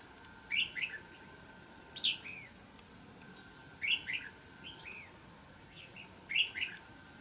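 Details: Red-whiskered bulbul singing while fighting a trapped decoy bird: short bright warbled phrases of a few quick notes, repeated about every one and a half seconds, over a steady background hiss.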